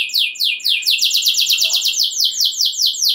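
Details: Singing canary meant to rouse other canaries to sing. It delivers a steady series of bright, downward-sweeping whistled notes, roughly five each second, high-pitched and continuous throughout.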